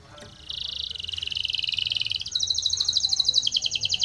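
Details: Training song of a Spanish Timbrado canary: a buzzy rolling trill of close-set pulses that switches to a higher series of slightly slower, clearer ringing notes.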